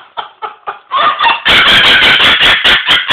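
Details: A 5-year-old Moluccan cockatoo that loves to laugh: a few hoarse 'ha' bursts about four per second build into a loud, raspy, pulsing cackle.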